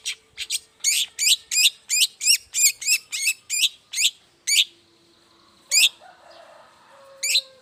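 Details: Morning song of a long-tailed shrike, used as a lure for other shrikes: about ten loud, identical buzzy-chattering notes repeated roughly three per second, then quiet with two isolated repeats of the same note.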